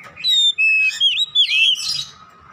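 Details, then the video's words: Short loud phrase from an Oriental magpie-robin singing 'ngeplong gacor' for training caged birds at home: clear level whistles linked by sliding twists, closing in a scratchy rush. "AUTO NGEPLONG GACOR KACER"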